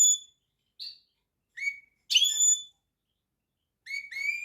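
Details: European goldfinch singing in scattered short notes: a high flat whistle, a brief buzzy note, and upslurred whistled notes, with pauses of about a second between phrases.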